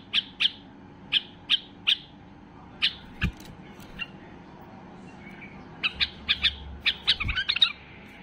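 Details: Highly excited white-eared bulbul (Basra bulbul) singing to rouse other bulbuls: spaced sharp chirps in pairs, a pause, then a quicker cluster of chirps and short warbled notes near the end; faint low hum behind.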